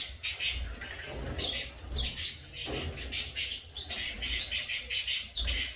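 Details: Young saffron finches raised in captivity chirp continuously, with sharp high tweets and short buzzy bursts repeating several times each second, over a faint low background rumble.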